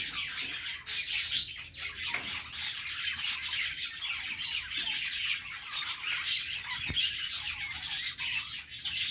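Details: Perched budgerigars in song, a busy mass of buzzy warbles and squawky chirps from several birds, steady and unbroken, with a brief soft knock near the seventh second.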